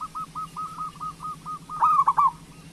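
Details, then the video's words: Local zebra dove singing to prompt other doves: a steady run of soft, short evenly spaced coos breaks into one louder, throaty rolling phrase near the end; faint low hum behind. "Perkutut Lokal Gacor Suara Pancingan Burung Perkutut Paling Cepat Bunyi"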